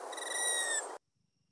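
A male Allen's hummingbird's dive sound: a steady, high, buzzy tone held for about one second, made by its tail feathers, then abrupt silence.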